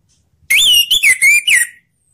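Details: A single orange-headed thrush phrase meant to spur quiet thrushes to sing: a loud, rich whistle rising then falling, broken into four or five linked warbled notes lasting just over a second.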